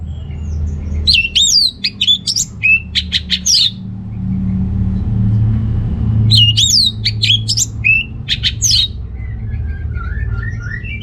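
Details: Loud, varied song of an orange-headed thrush, used to prompt males short of breeding drive, North Bali: two bouts of sharp rising and falling whistles with rapid chips, separated by a quiet pause with low background rumble.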